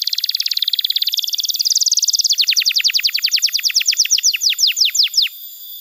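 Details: A canary sings a rapid buzzy trill, then slows into a run of clear, sweeping whistled notes, about five per second, high-pitched and bright; recording used as a song tutor and lure for young canaries.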